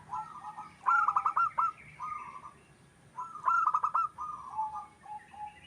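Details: Local wild zebra dove singing, its voice used as a lure. Two loud phrases of rapid rolling coos, about three seconds apart, each trailing into softer purrs, over steady low background noise.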